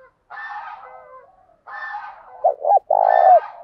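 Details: Spotted dove used as a decoy, its cooing described as good and methodical, stirring others to answer fast. Harsh harmonic phrases lead into two quick low hoots and a drawn-out, burring coo.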